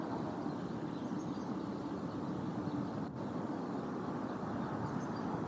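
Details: Steady broadband rumble like distant traffic or wind fills the recording, with a brief dropout near the three-second mark and no animal calls.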